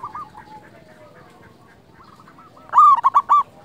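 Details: Local wild zebra dove singing, recorded as a lure and training song. After soft distant cooing, a loud bright four-note phrase of quick rolling coos rings out near the end, with other doves murmuring faintly behind.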